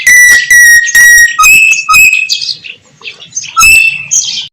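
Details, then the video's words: Javan myna, a white-eyed bird singing actively with a rich, varied song. Loud, harsh bursts alternate with long flat whistles and short upslurred notes, all strong and close. "jalak kebo mata putih gacor isian mewah."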